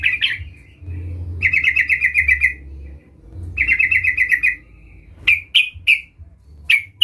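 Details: Sooty-headed bulbul (trucukan), a vigorous caller, calling a rival to prompt it to sing: two rapid chattering bursts of about eight notes each, followed by clipped, emphatic chirps singly and in pairs; low-pitched background hum.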